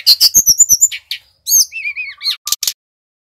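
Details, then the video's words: Brown-chested jungle flycatcher, Bali type, lure song: a rapid run of bright high chips followed by wavering whistled notes and two short sharp bursts. "SUARA SRDC BALI GACOR | Pancingan Burung Tledekan / Sulingan / Sikatan Rimba Dada Coklat Agar Bunyi"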